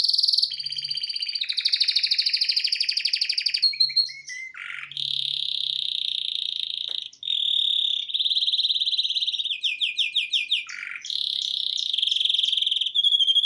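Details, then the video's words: Male canary singing indoors in front of a TV, delivering a loud, continuous song of rapid buzzy trills and rolling tours, shifting between high and slightly lower pitched rolls, with brief pauses and quick descending notes. "Best Canary singing live"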